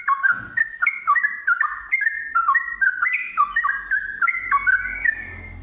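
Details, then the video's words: Sooty-headed bulbul (trucukan), a kept songbird, in lively gacor song: bubbly whistled phrases of two or three pitch-stepping notes, repeated about every half second, with some low rumbling noise near the end. "TRUCUKAN GACOR ngiwir lanjut ROPEL PANJANG"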